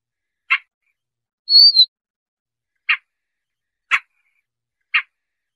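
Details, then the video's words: Siberian rubythroat recording used for bird trapping: sharp dry clicking notes at about one-second intervals, with one clear high whistled note that slurs downward, in total silence. "Tiếng chim Oanh Cổ Đỏ"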